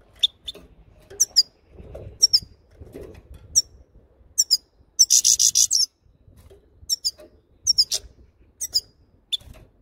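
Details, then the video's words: Grey-headed and black-headed goldfinches give bright, high chirps singly and in quick pairs, with a brief tinkling twitter midway; faint rustling sits beneath. "Седоголовый щегол и черноголовый щегол чир чир"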